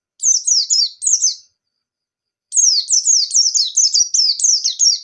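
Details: Lure song of a white-eye in 'ngalas nembak' style: a short opening burst of four high, falling slurs, a pause of about a second, then a long, dense, rapid sequence of bright, downward-sweeping whistles.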